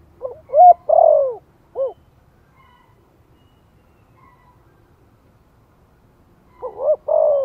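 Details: Spotted dove lure call, Giọng Thổ voice, from Vietnam, played to encourage newly kept doves: a low coo phrase with short lead-in notes, long downward-sliding coo and clipped end note, then silence before the next phrase begins.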